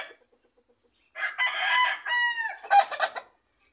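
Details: Domestic rooster kept with chicks among home-planted fruit trees, recorded in ambient sound: one full crow after a second of near silence, a harsh, rich multi-part call with a drawn-out middle note that slides downward, then a ragged closing burst.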